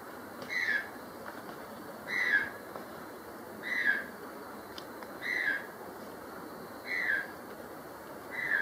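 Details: White-throated toucan in secondary forest in Acacías, Meta, Colombia, gives a loud, slightly falling yelp about every one and a half seconds, six times, over a steady hiss of insects.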